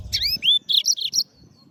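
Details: Yellow-fronted canary song phrase: two sharp rising whistled slurs followed by four short, bright, buzzy notes delivered rapidly, then a fading thin tail, over faint low rumble.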